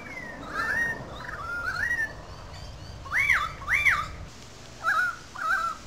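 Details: Currawongs in good voice above the wetlands gully at Sydney Park, St Peters, Sydney: wavering whistled phrases, then two loud arched notes that climb and fall, then two shorter dropping whistles.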